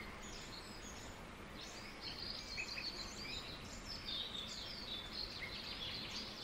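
A wren chirps in quick, high, scattered notes and short trills, about four per second, over a steady hiss of forest background noise.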